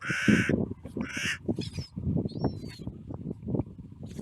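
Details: Two loud hoarse caws in quick succession from a carrion crow being fed nuts at a clifftop, followed by thin mewing gull cries over steady low rumble of wind.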